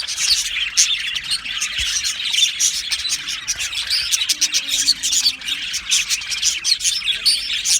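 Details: Happy budgerigar flock in an aviary chirps continuously, sharp high tweets and chatter overlapping, with a faint low hum in the background midway.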